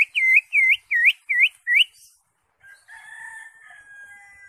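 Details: Caged green leafbird singing to coax another into song: five evenly spaced U-shaped whistles in under two seconds, followed by a quieter, rambling warble.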